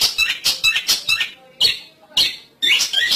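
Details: Lure sound of the long-tailed shrike for bird trapping: a fast burst of harsh rasping squawks, a pause, then single grating notes and another loud scratchy burst.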